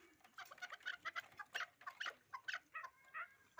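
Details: Hybrid fighting chukar partridge uttering a brief run of clipped, raspy chuk notes, a little over two per second, somewhat irregular in spacing and loudness.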